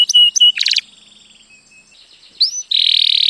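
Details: Canary song for teaching young birds: a few loud clipped notes and a short rattling burst, a faint fading trill, then a rising note and a bright buzzing trill.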